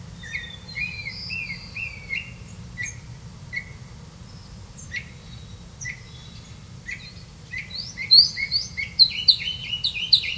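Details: Grey-capped greenfinch with young, catching crickets for them; twittering chirps, sparse at first then a fast excited burst of rising notes near the end, over low rumble.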